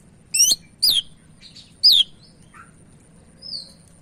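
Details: Sumatran leafbird from Medan in full voice: three loud, high, down-slurred whistled notes spaced about half a second apart, followed by softer scattered chirps and a faint trailing whistle.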